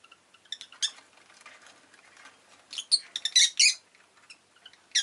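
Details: Rosy-faced lovebird chirping in bursts of high, shrill notes, a scattered run early on, then a dense cluster of loud squeaky chirps near the end.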